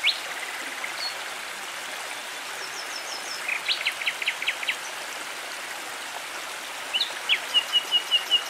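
Nightingale song of short phrases: a thin whistle, then bursts of sharp repeated notes and a fast ringing run, over a steady rushing stream.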